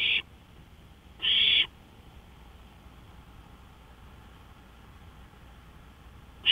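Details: Owl on a porch at 1:53 AM, 5 May 2013: a couple of brief rasping hisses near the start, then a long quiet gap before another begins.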